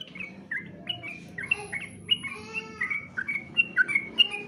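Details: Sooty-headed bulbul competition song, a steady string of varied whistled and chirped notes, some sliding down and some rising, spaced unevenly over a faint low hum.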